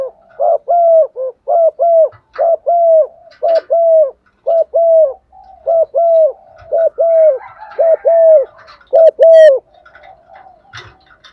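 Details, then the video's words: A female dove coos to call a male, used as a lure, giving low, hollow, slightly bowed notes in quick pairs, about one a second for ten seconds, with faint small-bird chirps near the end. "chim cu mái kích trống, tiếng chim cu mái gáy gọi chim trống"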